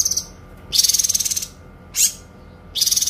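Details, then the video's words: Kinoi song recorded as a training tutor for songbirds, described as long, clear bursts: three high, buzzy, rapidly pulsed trills separated by short pauses, with one brief sharp note between them. "TEMBAKAN PANJANG, SUARA JERNIH BURUNG KINOI"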